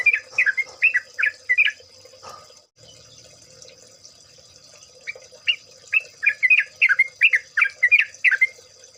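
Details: Yellow-vented bulbul in a chorus recording meant to make birds sing: a quick string of bubbly warbled notes, a short break, then a longer accelerating series, over a constant high hiss.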